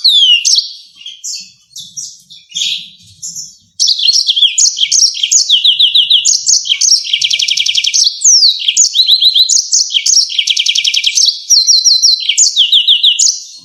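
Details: Yellow-fronted canary in energetic 'ngerol nembak tajam' song, a rolling and sharp style used to tutor songbirds: a few separate chirpy phrases, then a dense, nonstop outpouring of rapid buzzy trills, downslurred whistles and repeated sharp notes.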